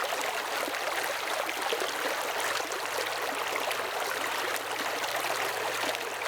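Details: A stream rushes and gurgles in a steady hiss of running water, with no animal calls audible.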